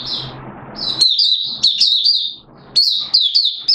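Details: Oriental white-eye of Malaysian origin singing, recorded in warm, humid Singapore weather on 29 March 2023: rapid high-pitched twittering phrases, each a cluster of quick slurred notes, repeated after short gaps over a soft background rumble.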